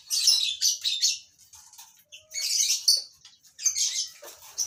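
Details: Colony-bred lovebirds chattering together: dense, harsh, high-pitched squawking bursts about a second long, separated by short quieter gaps, with many birds calling at once.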